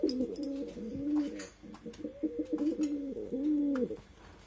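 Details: A pair of domestic pigeons, both calling on a rainy day: low, throaty rolling coos repeated in long wavering phrases across four seconds, with scattered sharp clicks and taps in the background.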